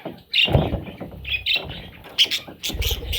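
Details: Parrot chicks with short, high chirps in three or four separate bursts, each followed by soft scratchy rustling and low thumps.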